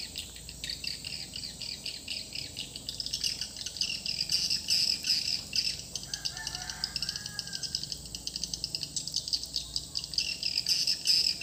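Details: Swiftlet lure call used to attract birds to a swiftlet house: dense high twittering chirps in quick irregular bursts, with a steady high electronic hiss behind.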